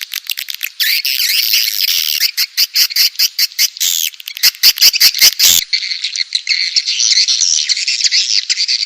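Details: Swiftlets, a sound compiled for swiftlet farmers in Indonesia: dense, high buzzy twittering with fast rattling clicks in bursts, then a steadier shrill chatter.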